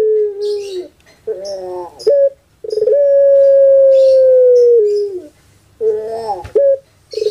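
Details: Kept Pelung turtle dove cooing in repeated phrases: a low wavering note, a rough gurgling burst, then a long, level, drawn-out hoot of nearly two seconds that drops at the end; faint chirps behind.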